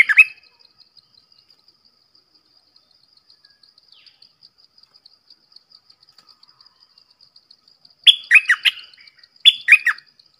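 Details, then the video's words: Red-whiskered bulbul sings a short note, falls silent for several seconds while insects tick steadily, then delivers two quick phrases of rich, slurred whistles close together near the end. "เสียงนกดอกแตงEp.105 Birds sounds"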